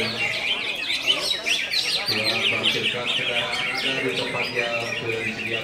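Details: Greater green leafbird giving its konslet song, a hurried mix of high chirps and squeaky slurs, with lower murmuring sounds in the background.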